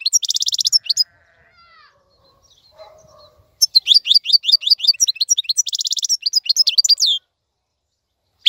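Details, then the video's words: Goldfinch song used for teaching young birds to sing: bursts of fast, high, twittering notes with buzzy trills, broken by a quiet pause with faint low tones in the middle. "افضل مقنين لتسميع الفراخ. مقنين جميل جدا لتعليم الفراخ"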